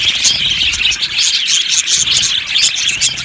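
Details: Aviary colony of Australian budgies chirping together, with rapid overlapping high twittering, short bright squeaks popping out of a constant buzzy chatter, with no other sounds clear.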